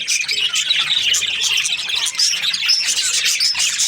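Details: Budgerigars kept as breeding pairs, a dense flock chorus of high, rapid chirps and warbles with short whistled upslurs, continuous and overlapping throughout.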